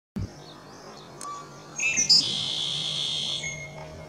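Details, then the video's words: Song sparrow singing at Cranberry Lake, dated 5 8 18: a few brief high notes, then a loud buzzy trill held for about a second and a half over a low steady hum. "Song sparrow （Melospiza melodia）歌带鹀"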